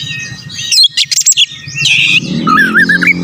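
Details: Oriental magpie-robin (kacer) in brief lure song to provoke rival birds. A few sharp whistles and a buzzy burst are followed by a wavering, warbled trill over a low background hum.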